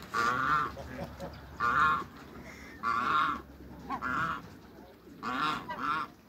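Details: African and Toulouse geese meeting new geese: five loud, nasal honks, each roughly half a second long and spaced a little over a second apart, with quieter murmuring and rustling between the calls.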